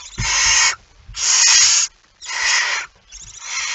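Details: Barn owl with a mouse at 01:49 on 17 September 2019, four loud breathy hisses, each under a second, coming about once a second with short silent gaps and soft low knocks.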